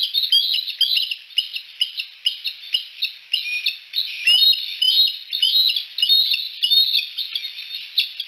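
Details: Three bald eagles at Decorah sit on a Y-shaped branch at sunset, calling in a fast, uneven chatter of high squeaky chirps, some bursts overlapping, running without pause for eight seconds.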